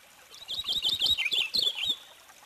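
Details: Purple finch delivering a rapid, twittering warble of high whistled notes that dips and rises, lasting about one and a half seconds.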